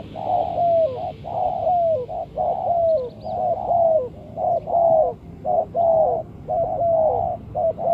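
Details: Spotted dove used to lure birds for trapping, giving steady repeated mellow coos, roughly one per second, each hollow note sliding slightly downward at its end, over a faint background hiss.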